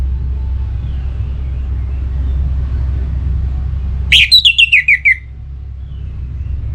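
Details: Orange-headed thrush kept in a cage, in breeding condition and provoked, calling a rival: after low background hum, one phrase of about seven clear whistled notes that step steadily downward in pitch, delivered quickly and evenly.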